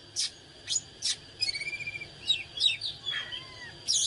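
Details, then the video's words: Oriental magpie-robin in fired-up song (căng lửa): scattered sharp chips, then a run of quick whistled notes and a long descending slurred whistle near the end, with pauses between phrases. "เสียงนกกางเขนบ้านหรือนกบินหลาขี้ควายใต้ Chích chòe than CHÒE THAN CĂNG LỬA HÓT MÚA CỰC HAY"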